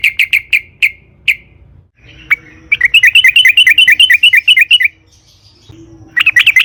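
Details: Sooty-headed bulbul song in wild 'ngalas' style, used as a lure to make other bulbuls sing: a quick burst of repeated notes, a pause with faint humming tones, then a long rolling chatter and a final rapid burst.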